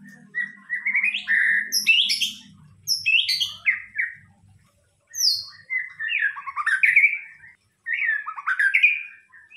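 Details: White-rumped shama singing as a lure: repeated loud phrases of rising whistles and sharp high notes, varied and energetic, with short gaps and a low buzzing at the start.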